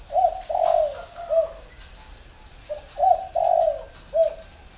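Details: Spotted dove, a caged decoy bird with a whistle-type voice; clear low coos in groups, a short note then a longer sliding coo and a final short note, repeated twice, with faint high-pitched background hum.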